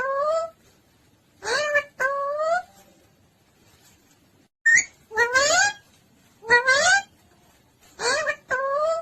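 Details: Parrot chirping and calling mummy and papa: repeated rising, whistled harmonic calls, each about half a second, given in pairs and clusters with quiet pauses between, in a small room.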